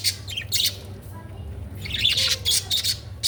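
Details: Budgerigar chirping: bright, high twittering bursts in two loose clusters with a brief pause between, over a steady low hum.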